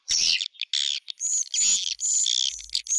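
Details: Swiftlet lure sound (suara tarik): several separate bursts of shrill, high twittering with thin whistled overtones and short quiet gaps between them.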